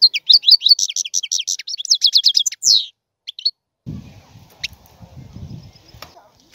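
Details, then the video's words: European goldfinch delivering a rapid twittering phrase of high slurred notes running into a fast buzzy trill and a drawn-out slurred note, then a pause with faint low background rumble. "احسن وافضل تغريد طائر الحسون"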